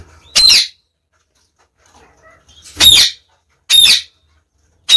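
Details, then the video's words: Female budgerigar waiting for a new mate after killing her previous one, giving four loud, harsh, screechy calls about a second apart with quiet pauses between them. "Cocorite | In attesa di un compagno"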